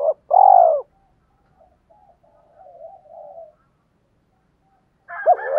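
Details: Decoy spotted dove luring other doves with a single loud, rolling, slightly falling coo, then faint low murmurs and a quiet stretch. A last coo begins with a rougher, higher sound at the end.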